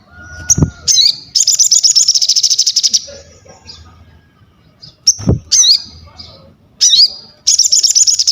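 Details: Crested jay, kept bird, used for training other birds and as a singing lure; high whistled notes and rapid trilled bursts near the top of the range, repeated in runs with short pauses, low thumps beneath.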